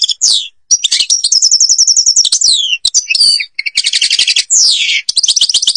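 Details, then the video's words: European goldfinch from Algeria singing in the song style called ghabat al-Babas tiberli: rapid liquid twittering, trilled runs and buzzy descending slurs, broken by short pauses, with no other sounds. "(canto jilguero argelia) تغريد غابة الباباس تيبرلي"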